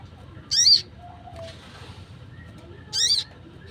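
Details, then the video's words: Wild Crimson Sunbird call, offered as a lure for trapping sunbirds: two sharp, high, slightly buzzy chirps about two and a half seconds apart over a faint low background hum. "PANGGILAN SOGON LIAR !! cocok buat pikat burung sogon"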